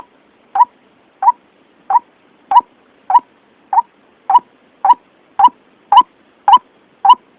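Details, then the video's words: White-breasted waterhen lure call used for trapping: a clear, mid-pitched single note repeated steadily about every 0.6 seconds, twelve in a row, each short and hollow, over a quiet, clean background. "Suara pikat ruak ruak paling jitu"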